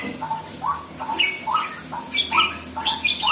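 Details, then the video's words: Red-whiskered bulbul beginning to grow lively, giving short rising whistled notes roughly every half second, alternating with higher clear chirps; faint low hum in the background. "sora burung jambul baru nak galak"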